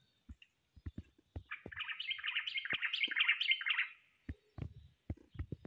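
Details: Common blackbird: a sustained warbled run of fast, jumpy notes that rise and fall, lasting close to three seconds. Clicks and taps before and after it.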